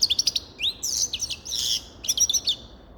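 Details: Grey-crowned goldfinch singing a rapid, high twittering phrase of sharp chirps, rising slurred notes and buzzy trills, in short bursts with brief pauses, background otherwise quiet.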